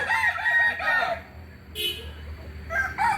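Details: Crowing Kokok Balenggek rooster from Solok, West Sumatra, Indonesia, with a run of quick arched syllables, a short gap, then a fresh crow starting at the close.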